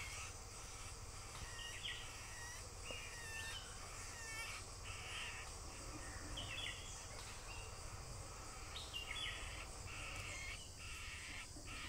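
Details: Malabar grey hornbill feeding its young gives short, harsh, cackling bursts every couple of seconds over a steady insect drone and low background rumble.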